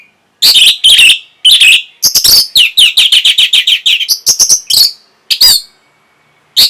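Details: Orange-headed thrush, kept cage bird, song used to stimulate breeding condition and provoke replies: loud bursts of rich whistled and scratchy phrases, a rapid run of repeated notes near the middle, with short pauses between bursts.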